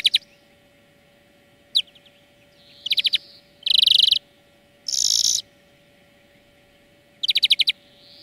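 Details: Greenfinch singing in a training song lesson. Scattered chips lead into quick trilled note bursts, and two drawn-out nasal wheezes stand out mid-phrase, all over a quiet constant hum.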